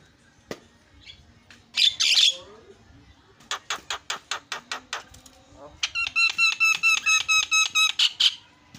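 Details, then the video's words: Starling calls used to draw out other birds: a harsh squawk, a row of sharp evenly spaced clicks, then a quick run of ringing whistled notes with a few squawks. "JALAK GACOR SUARA SUPER KRREENN"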